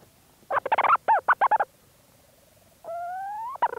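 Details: Close-up Leach's storm petrel calling from its burrow at St Lazar: a fast stuttering chatter of arched harmonic notes, a low hum in between, then a sustained rising purring tone and one final clipped note.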